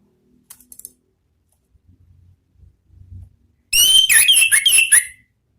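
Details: Orange-headed thrush heard after a quiet start with faint low hum: a sudden, dense burst of fast whistled and trilled notes in the ngeplong style, lasting about one and a half seconds.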